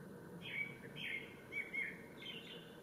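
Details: Male Japanese Thrush singing at Ōbora spring, Lake Yamanaka, Japan, on 3 May 2017: four short whistled phrases of fluted notes in quick succession, with a soft low background hum.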